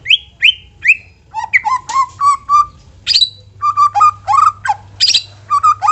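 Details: White-rumped shama song used as a lure to make shamas sing readily: loud clear whistled notes, several sharp downslurs then a run of rich warbled phrases repeated roughly twice a second, with a steady low hum behind.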